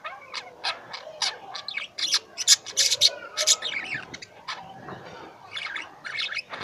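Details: Lovebirds kept at home squawk and chirp in harsh, high, buzzy bursts, loudest in the middle, mixed with thinner squeaks.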